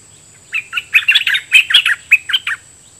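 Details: Red-whiskered bulbul decoy bird, caged, singing challenge phrases at wild birds in the forest with doubled song phrases. A short, loud phrase of about ten chirpy, slurred notes comes in uneven quick succession, each note bright and warbled, over a faint steady hiss.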